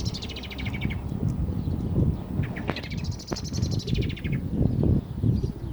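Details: Common blackbird singing during the call to prayer: bright, warbling phrases of rapid chirpy notes that sweep up and down, set over a steady low rumble of background noise.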